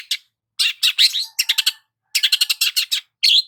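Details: Long-tailed shrike sunbathing in the morning: bursts of harsh, buzzy, rasping notes, some in quick runs of four or five, with short gaps between phrases and a final nasal squeal.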